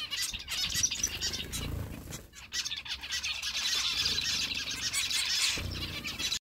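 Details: Zebra finch chicks give a dense, raspy, high-pitched begging chatter, almost without pause, with soft fluttering and rustling, while a parent makes pretend feeding motions to them.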